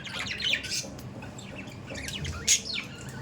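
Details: Several budgies making short, harsh squawks and warbling chirps in quick succession. One sharp, louder squawk stands out near the end.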